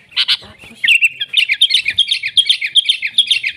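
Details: Sooty-headed bulbul in busy song: two loud opening notes, then a fast run of bright chirped and whistled notes repeated several times a second, with faint low knocks underneath.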